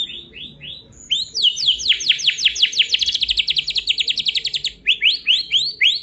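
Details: A white-rumped shama sings loudly, opening with a few slurred whistles, then a rapid rattling series of about thirty high notes, ending in evenly spaced rising whistles.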